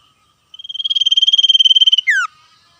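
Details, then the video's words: Common iora, heard in the wild, delivers a fast steady-pitched trill of evenly spaced pulses that grows louder, finished by a brief steeply descending whistle; background otherwise quiet. "sirtu cipoh gacor ngetir suara asli alam liar"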